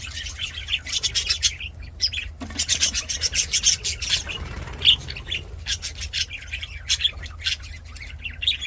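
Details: Budgerigars singing and playing in an aviary, loud, fast raspy chatter of clicks, chirps and buzzy warbles, densely packed with short breaks, close and prominent above a faint low hum.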